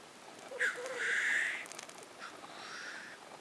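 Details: Lekking black grouse at Innvik in 2014: loud, harsh hissing sneezes, one drawn out for about half a second, then a softer second hiss, over faint low bubbling.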